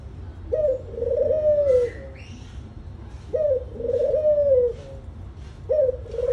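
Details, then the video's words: A dove gives low, soft cooing phrases, each about a second and a half long, repeated every two to three seconds, with faint chirps of small birds behind. "dove call | dove sound"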